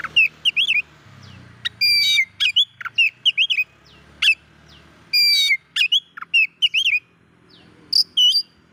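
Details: Oriental magpie-robin singing to provoke other magpie-robins, with repeated short whistled phrases, upslurred and downslurred notes, brief harsh buzzes and pauses between bursts, over a faint low hum.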